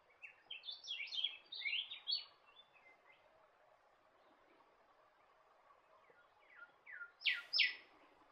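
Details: Norfolk Island golden whistler, a golden whistler subspecies found on Norfolk Island, giving a quick tumbling run of high descending whistled notes, a quiet pause, then short slurred notes ending in two loud sharp downward slurs against a constant low hiss.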